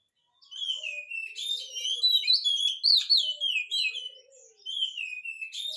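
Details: Oriental magpie-robin singing to provoke a reply from a quiet bird: a continuous varied stream of high whistled and chattering phrases with downward slurs, and faint low notes underneath.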